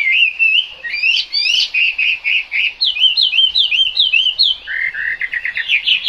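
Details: Singing in the rain, a Chinese hwamei pours out continuous varied phrases: wavering whistles, quick repeated slurs and rapid changes of pitch, hardly pausing.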